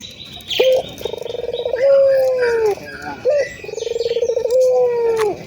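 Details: A local ringed turtle dove cooing eagerly. A short clipped note comes first, then a pulsing, vibrating run and a drawn-out even coo that sinks at its close. The pattern repeats twice, with thin bird chirps far in the background.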